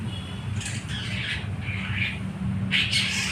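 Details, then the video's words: Young long-tailed shrike learning to sing, recorded 17 May 2023: short scratchy, buzzy phrases in brief bursts with a few chattering notes, over a steady low rumbling hum in the background. "cendet trotol belajar bunyi"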